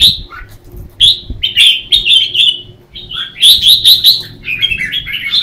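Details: Red-whiskered bulbuls singing against each other in the morning, used as lure song for training birds: crisp whistled notes, some repeated in a rapid, evenly spaced series, with a faint low background hum.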